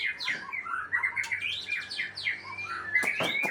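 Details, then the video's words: White-rumped shama from Aceh pouring out a busy run of quick warbled and swept notes amid low background hum, ending with sharp clicks. "Murai Aceh # Bongkar Isian"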